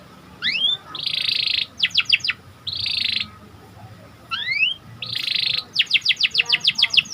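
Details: Symmetric panda-marked canary in full song, meant to excite other canaries. Rising whistles alternate with short buzzy rattles and quick descending sweeps, and the phrase closes with a fast series of clipped repeated notes.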